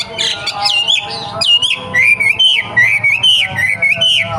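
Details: Young forest wambi, wild, singing a rapid sequence of clear, bouncing whistles that climb and dip, repeated steadily for over four seconds.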